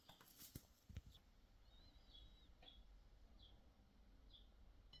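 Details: Pet cockatiel at breakfast: a faint, wavering whistled warble followed by a few short, high chirps spaced about a second apart, after clinks and taps of dishes at the start.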